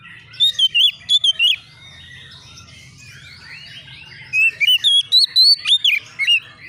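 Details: Agitated untrained Oriental magpie-robin answering a challenger: a cluster of loud whistled slurs, a soft warbling pause, then a longer series of about ten sharp, rising and falling whistles.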